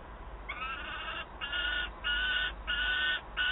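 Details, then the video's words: Begging peregrine falcon chick calling to its mother for food, Wałbrzych, 9 August 2022: five harsh, whining screeches, each about half a second long, repeated rapidly with short gaps. "Gutek skarży się mamie "gdzie mój łup""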